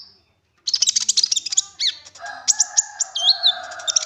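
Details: Rapid, high-pitched chattering of an olive-backed sunbird played as a lure to make others sing, busy trills and swoops over a steady lower droning hum.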